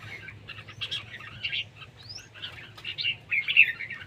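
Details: Red-whiskered bulbul singing in a competition: quick, chattering whistled notes in dense bursts with a short rising slur, fairly soft against a steady low hum.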